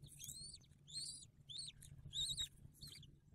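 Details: Bald eagle at its nest in a tree bole in December 2022, with a newly hatched eaglet being fed: rapid run of five or six shrill, squealing chirps with a pause midway, over a low background hum.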